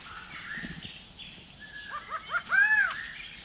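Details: Greater racket-tailed drongo at a forest water pool in Kulen National Park, where birds come to drink: a quick run of short rising whistles, then one longer arched, ringing note, over soft forest ambience.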